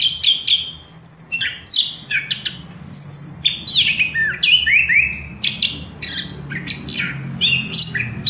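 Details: An orange-headed thrush sings a lure song meant to stimulate other birds: a rich, fast run of varied whistled and buzzy phrases, high and bright, each phrase changing from the last, in a quiet indoor setting.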